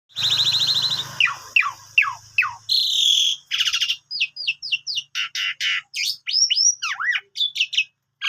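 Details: Asian pied starling in melodious chattering 'gacor' song: a fast medley of buzzy harsh notes, steep downslurred whistles and short rising chirps, briefly over a low hum at the start, then crisp separated notes to the end.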